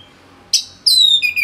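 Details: An orange-headed thrush (Geokichla citrina) gives a brief burst of song, a harsh note then a loud ringing whistle sliding down into a lower rich phrase; a tutor recording from Singaraja, North Bali.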